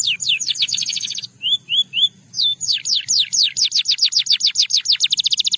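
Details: Singing Russian canary, said to seduce other canaries: a fast high trill, three short soft whistled notes, then a run of loud falling sweeps that speeds up into a tight rattling trill at the end.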